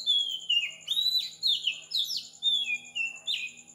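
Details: Oriental magpie-robin at 4 am in Sri Lanka, a dense burst of loud whistled song: repeated downward-sliding phrases and sharp slurred notes about twice a second, with a faint high pulsing drone beneath.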